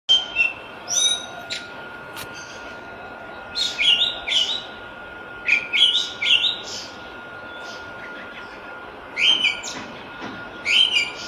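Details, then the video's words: Wild Island thrush singing in nature: short bursts of rich, warbled whistles with buzzy upper notes, uttered in separate phrases every one to two seconds, over a steady faint hum and soft background hiss. "jalak lawu gacor di alam"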